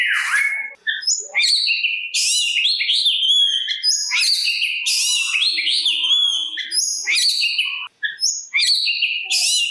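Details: Oriental magpie-robin (kacer) singing to lure rival magpie-robins into replying and rouse their aggression: rich, rapid song of clear whistles, rising slurs and harsh chattering bursts packed closely together, with short pauses between phrases.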